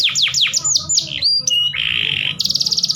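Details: Canary breeding song meant to raise males' mating urge: quick descending sweeps, a steady whistle, a buzzy rolled section, then a fast high trill.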